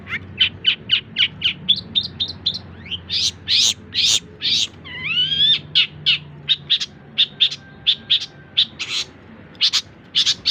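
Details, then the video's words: Long-tailed shrike song as tutoring material for songbirds: quick series of sharp chips, longer buzzy notes, a drawn-out nasal wavering note, then more rhythmic chirps and clicks. "Cendet masteran full materi voll++"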